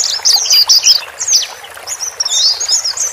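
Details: Male and female white-eyes, played to help a newly bought bird settle alone in its cage: high, thin twittering chirps and rapid slurred trills, several birds chattering in bursts with short pauses.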